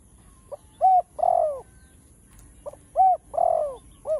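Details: Spotted dove cooing in chiêu, thúc and gù style. A faint short note leads into a loud hollow coo, then a drawn-out falling coo. The phrase repeats after about two seconds, with a clipped coo at the end.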